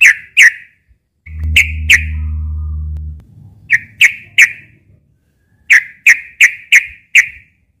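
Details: Sooty-headed bulbul fighting sound by day, used as a lure: short, sharp, whistled notes in pairs and runs of three to five, with a strong low droning hum for about two seconds near the start.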